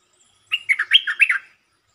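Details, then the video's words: Red-whiskered bulbul delivering a short, attractive song phrase that opens fast: about six chirpy, liquid whistled notes in quick succession, around one second long, with nothing else heard. "เสียงนกดอกแตงEp.150 จ้าวขันเงิน เปิดดอกเร็ว เพลงสั้นๆแต่น่าฟัง Suara pikat merbah lekir"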